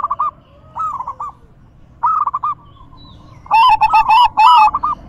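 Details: Zebra dove song in the loud, crystal-toned style, played to stimulate other doves to sing: short bursts of rapid, staccato coos near one pitch, with a longer, louder trilled phrase at the end.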